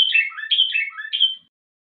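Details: Moroccan common bulbul performing a two-variation tashyi'a song: a brisk phrase of liquid, slurred notes dipping and rising, three bright accents spaced about half a second apart, then silence.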